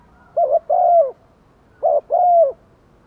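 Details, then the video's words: Decoy spotted dove cooing to lure wild doves, in 'gáy thúc' and 'gáy gọi một hậu' styles. Two low phrases, each a short wavering double note followed by a longer, smooth, slightly falling hoot. "chim cu mồi kích bổi nhanh nổi, bổi nghe rất xiêng gáy/ chim cu mồi gáy thúc và gáy gọi một hậu"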